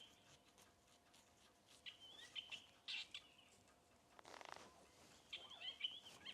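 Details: Drongo alarm calling in the Rietspruit Game Reserve, Lowveld, South Africa, on 10 November 2024 during a sunset safari, after mobbing a Gabar goshawk still in sight. It gives short, sharp, high, metallic notes in bursts, with quiet bush background.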